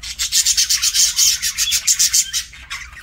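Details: Parakeet feeding during a meal: a rapid, fairly regular series of rasping, gritty scrapes, roughly four per second, like seed husks being worked and cracked.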